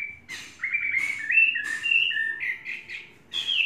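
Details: A faultless tame Chinese hwamei, three seasons old, pours out a flowing chain of clear whistles that step up and down in pitch, broken by brief sharp clicks, before a final bright falling phrase.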